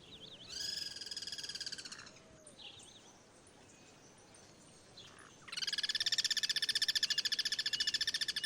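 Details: Guira cuckoos cross-singing in their natural habitat: a harsh pulsed rattle for over a second, a quiet pause with soft background noise, then a louder, fast, ringing rattle resumes and continues.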